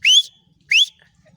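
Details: Female black francolin calling: two loud, upslurred whistled notes about 0.7 seconds apart, each bright and rising, with a faint low hum in the background.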